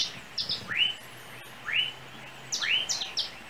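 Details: From an overhead cable in Trinidad, a small yellow bird gives three upswept chirps about a second apart, framed by short high double notes.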